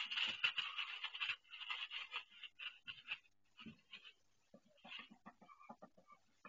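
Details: Duck in pain as she lays her first egg indoors on a self-built nest; loud rasping calls first, fading into quicker, softer, clipped quacking pulses.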